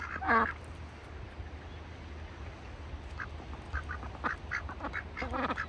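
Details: Farm ducks in a bucket in wintertime give a loud harsh quack near the start, then softer nasal quacks and muttering toward the end, over a steady low hum.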